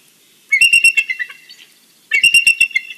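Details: Morning calling of a bald eagle at the nest, Big Bear, picked up by a live nest cam: two sharp bursts of rapid, shrill, piping notes about one and a half seconds apart, each trailing off into weaker chatter.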